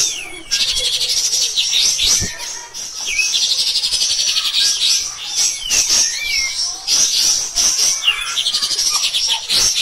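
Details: Cotton pygmy goose used as a teaching model for songbirds, starting abruptly into sustained high, fast chattering with repeated short descending whistles scattered through.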